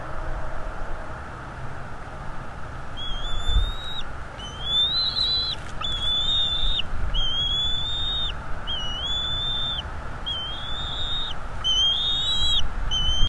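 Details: Male bald eagle at its nest in North East Florida, on a live nest camera, attacking an intruder while defending the nest: a run of high, thin piping notes, about two each second, with short gaps, over a steady low background hum.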